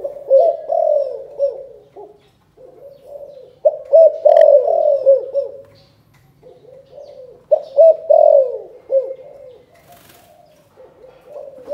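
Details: Spotted dove from Can Tho, Vietnam, giving a 'chụp chụp ô' style calling coo: low, mellow, hooting phrases in bursts with pauses between, each phrase a run of rounded, slightly rising and falling notes.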